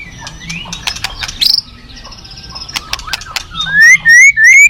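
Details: White-rumped shama with quiet scattered clicks and faint notes at first, then loud clear rising whistles near the end, against a low rushing background.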